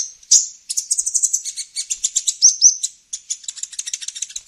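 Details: Olive-backed sunbird used to lure wild birds, giving a rapid, continuous chatter of sharp high chips with a couple of brief rising notes mixed in.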